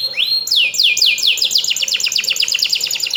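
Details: Canary song used to draw a response from other birds; a few drawn-out whistled slides give way to a rapid, rolling trill of short falling notes.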